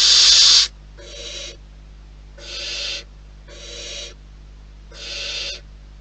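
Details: Wild barn owls in their nest: a loud, harsh hiss opens, then four softer breathy hisses follow about a second apart, each lasting around half a second, over a low steady hum.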